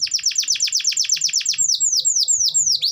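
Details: Canary in lively song: a rapid series of steep downward-sweeping high notes, roughly seven per second, followed by slower, broader descending whistles and a final rising note.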